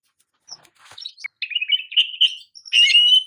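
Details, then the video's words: Oriental magpie-robin singing a champion song meant as a master recording for training: sparse high whistled notes and short buzzy bursts, then a run of warbled phrases ending in a loud sustained whistle. "KICAU KACER JUARA PALING PAS UNTUK MASTERAN KACER"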